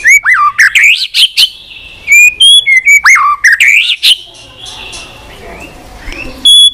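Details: Stimulated white-rumped shama singing continuously in many varied voices: loud looping whistles that rise steeply, bursts of sharp high notes, then a softer trailing passage and a final pure whistle.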